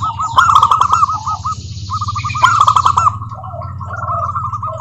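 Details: Local zebra dove song meant to provoke other doves to answer: two loud phrases of rapid trilled cooing, each trailing into evenly spaced single coos, against a low droning background.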